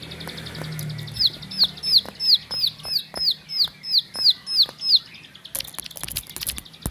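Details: Ciblek sawah, the bar-winged prinia, kept in a house, gives a burst of about ten high, downward-slurred whistles in quick even rhythm, followed by clattering handling noise.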